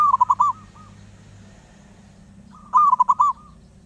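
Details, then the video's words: Restless wild zebra dove repeating its song: a staccato cooing phrase, then a quiet gap, then another rapid rolling phrase of five or six coos, over a low background hum. "Burung perkutut Liar gak mau diam"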